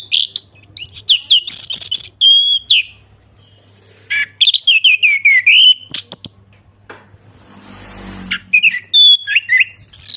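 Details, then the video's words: Ngeplong song of an orange-headed thrush, used to coax silent birds into singing: rapid varied whistles and sharp high notes, rising and falling slurs, a brief hiss near the end, and a constant low electrical hum. "ANIS KEMBANG NGEPLONG"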